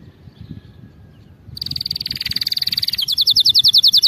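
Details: Canary song meant for training canaries to sing correctly: quiet at first, then a steady fast trill of repeated notes that shifts into a quicker series of bright, separate syllables.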